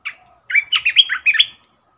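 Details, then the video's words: Red-whiskered bulbul kept as a decoy bird sings one fast, continuous phrase of liquid whistled notes rising and falling, preceded by a brief chirp. "เสียงนกกรงตาแเดง Ep.13 #นกต่อเจ้าหยก Burung merbah belukar"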